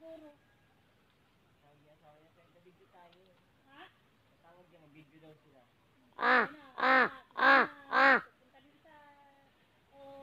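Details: Slender-billed crow calling a quick series of four strong, nasal caws in about two seconds, preceded and followed by quieter, murmuring, speech-like notes.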